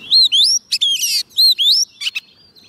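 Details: Oriental magpie-robin fed on soft food, singing to call wild birds: loud whistled phrases rising and falling, with buzzy rapid notes between, in two similar repeated bursts within a few seconds.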